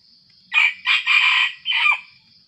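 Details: Aggressive wild junglefowl crowing in the pre-dawn dark as it approaches a decoy. A harsh, broken crow in about four rough segments over under two seconds, each a loud burst, the last trailing off. The background is otherwise quiet.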